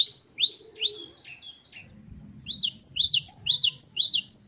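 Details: Gelatik batu, or great tit, sings a wucit-wucit variation meant to tutor caged birds: rising whistles, a short stuttering buzzy run, then a rapid series of bright upward notes over soft rumble.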